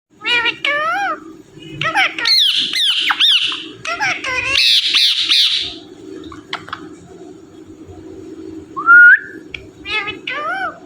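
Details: Indian ringneck parrot, kept indoors, talking and repeating "Mithu": a series of wavy, harmonic, voice-like phrases and short squawks, some rising and falling, with a steady low hum and faint background music throughout.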